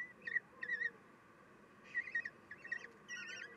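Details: Common kestrels at a nest on 3 June 2021 at 9:12, the female feeding her chicks; short bursts of thin, squeaky, rasping notes in clustered groups with brief pauses, some wavering upward.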